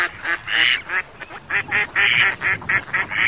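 Mallards give a rapid run of harsh, nasal quacks, several calls overlapping in quick bursts about every half second.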